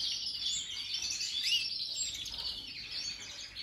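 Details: Major-style song from a European goldfinch, 2023: a dense, fast, high-pitched twitter of chirps and short trills, one brief rising whistled note near the middle, with steady faint background hiss.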